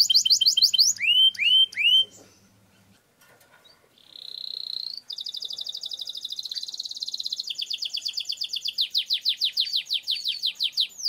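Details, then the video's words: Canary singing long rolls in gacor style, used to train canaries: sweeping looped whistles, a quiet gap, a steady buzzy note, then a long rapid trill that slows into loud falling sweeps. "Suara Burung Kenari Gacor Ngerol Panjang Untuk Pancingan Kenari Agar Jadi Juara"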